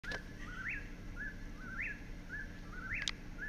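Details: Eastern Whip-poor-will at Bashakill Preserve, New York, sings its whistled three-note 'whip-poor-will' phrase, sharply rising on the middle note, about once a second, over a low steady background rumble.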